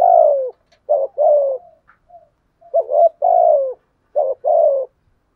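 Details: Lure spotted dove delivering thúc gù driving coos mixed with gáy gọi calling: low hollow coos in quick groups, each a brief doubled note then a drawn-out coo sliding downward, repeated steadily.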